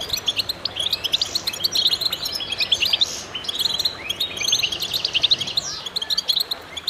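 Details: Chorus of many goldfinches singing together, meant to stimulate other birds: dense, overlapping high twittering and tinkling notes, with a few slurred, rising whistles throughout.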